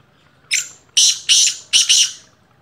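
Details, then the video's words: First-season black francolin calling: a grating, buzzy series of a short lead note, two harsh rasps and a doubled ending, delivered in about two seconds against a quiet background. "Kala teetar ki awaz"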